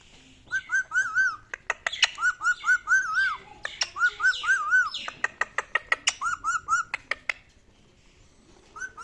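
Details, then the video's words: Talking pet rose-ringed parakeet: groups of three or four arched, wavering whistled notes repeated several times, mixed with sharp rapid clicks and a few squawky sounds. "Ring neck Talking Parrot"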